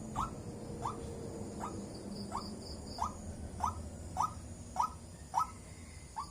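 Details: Repeated wak calls of a white-breasted waterhen, brief upward-sliding notes roughly every half second, growing louder midway, set against a noisy rumbling background with faint insect buzzing.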